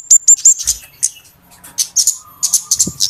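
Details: Flowerpecker calls used as a lure for trapping birds: rapid, very high, thin ticking notes in bursts, with a few clear sharp whistled notes at the start and a fainter lower warble in the middle.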